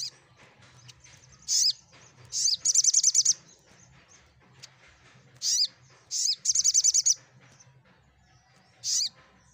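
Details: Olive-backed sunbird song meant to make quiet birds respond: high, downward-sweeping chirps, each followed by a fast trill of about seven notes. The pattern comes twice, several seconds apart, and ends on a lone chirp over a soft hum.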